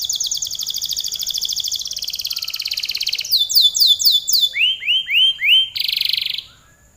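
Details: Long canary song: extended rapid high trill dropping slightly in pitch, then loud down-slurred whistles repeated in twos and threes, a lower swooping series, and a closing buzzy trill.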